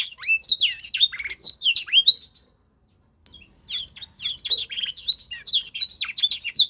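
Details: Young canary in singing training, copying a master song: fast high chirps and down-swept whistles, a pause of about a second, then a renewed burst of twittering.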